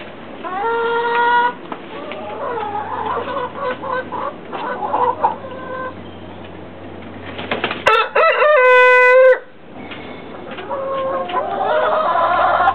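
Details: Rooster crowing twice, each a long, steady, harmonic-rich call, one early and one near the end of the eighth second. Short clucking notes fall between the crows over a constant low hum.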